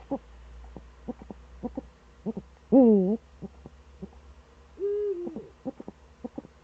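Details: Eurasian eagle-owl in the Eifel, recorded on 26 September 2013 in the early morning around seven: one loud, harmonic, downward-sliding call and a smooth arched hoot, among scattered soft clicks and knocks.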